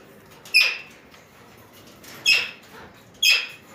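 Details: Three short, harsh, screechy calls from gathered Alexandrine parakeets, evenly spaced about a second apart, each dropping quickly in pitch.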